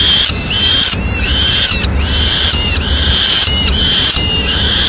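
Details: Male peregrine falcon with a swift feeding its chicks in Madrid; piercing squeals sound in strong repeated bursts with brief silences between them.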